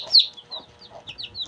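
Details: Shamo chicks two days old give brief high downslurred peeps, a few scattered notes with soft lower murmurs between them.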